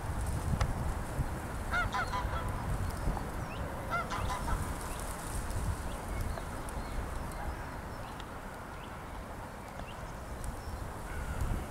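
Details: Greylag geese swimming on water, recorded 13 March 2023: a few short, nasal honks near two and four seconds, faint beneath a constant low rumble of wind and water.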